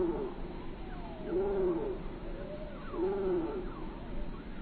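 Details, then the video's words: A bird gives soft, low, rounded coos in short phrases roughly every one and a half seconds, with faint higher whistles and steady background hiss. "Relaxing With Natural listening to bird sound"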